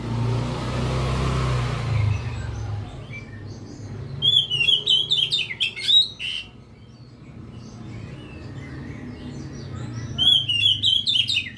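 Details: Oriental magpie-robin giving two separate bursts of fast, varied whistles and sharp chirps, one near the middle and one near the end, with a quiet pause between them; passing vehicle noise is heard at the start.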